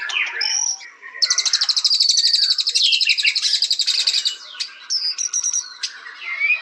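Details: White-rumped shama: soft mixed notes, then a powerful rapid trill from about one to four and a half seconds, ending in scattered sharp chips and short whistles.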